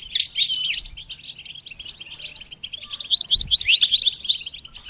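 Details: Goldfinch in song training: a lively twittering phrase opens loudly, eases into softer chirps, then returns with a quick, rising run of bright, repeated notes.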